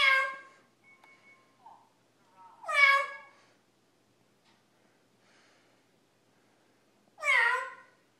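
A lilac-crowned amazon gives three drawn-out, cat-like meows, each rising then falling, spaced several seconds apart in a quiet room.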